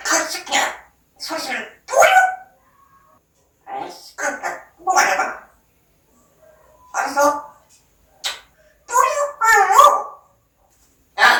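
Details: Pet parrot chattering in imitated speech, a steady series of short word-like bursts with breathy, hissy edges in a quiet room.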